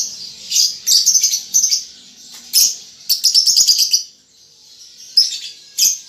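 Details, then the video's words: Young lovebird under five months practising ngetik and ngekek: bursts of rapid, high ticking notes, the longest a fast rattling series lasting about a second, separated by quieter gaps. "Lovebird Paud Baby Balibu Muda Belajar Ngetik Ngekek"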